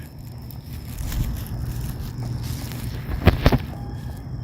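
Low rumbling outdoor noise with crackling and scraping, and a few sharp footstep-like knocks near the end.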